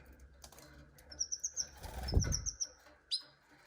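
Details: Canary singing: two quick runs of high, bright, evenly repeated trilled notes, a brief pause between them, then a single sharp high note; a soft flutter of wings sounds low underneath.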